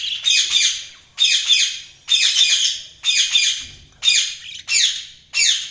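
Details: Budgerigars chirping: seven loud, harsh, scratchy bursts, each under a second long, repeated almost evenly about once a second, with sharp onsets and fading tails. There is no other clear sound.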